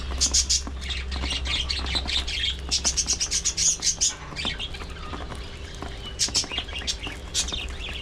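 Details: Early morning feeding time for budgerigars: lively high twittering in dense runs of quick squeaky chirps. The runs are interrupted by brief lulls, then rise again, over a constant low drone.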